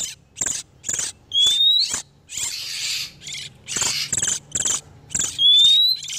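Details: Breeding-condition oriental magpie-robins, male and female, recorded as a lure for wild birds: short, dry, high rasping notes in a steady series, broader hissy churrs, and two bright upward whistles.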